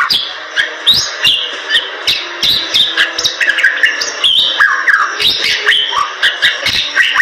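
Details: Bali myna pouring out a continuous song of harsh clicks, squawky notes and short whistled slides, some sweeping sharply upward, all run together at a quick pace.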